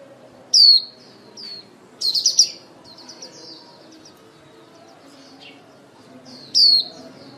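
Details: Caged female white-eye kept as a trapping lure, calling to the flock. Loud thin downslurred whistles open and close the recording, with a quick burst of twittering chirps and fainter high notes between them.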